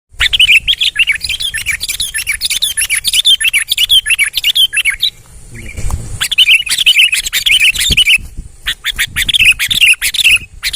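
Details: Sooty-headed bulbul in full, energetic song: rapid bursts of chirpy, warbled notes delivered in quick runs with a brief pause midway, mixed with sharp clicking taps throughout.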